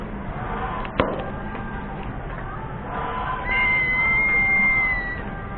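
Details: A crested serpent eagle calls with a prolonged clear whistle, even in pitch before dipping at the close, after a sharp knock; a low continuous background drone and faint chatter run throughout.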